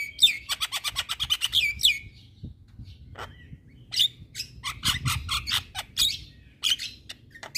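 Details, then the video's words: Full nonstop song of a Javan myna on a songbird training recording: a fast even series of sharp repeated chips at the start, then separated high chirps and whistles, with a faint low background hum. "Masteran Juara Burung Jalak Kebo Gacor Tak Henti Henti Ngoceh Seharian"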